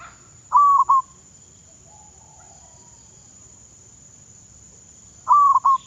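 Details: Zebra dove decoy bird in training in Thailand. Two short, loud, mid-pitched cooing phrases, each a quick stuttered run of about three notes, come at the start and near the end, separated by quiet. A steady high electrical whine runs throughout.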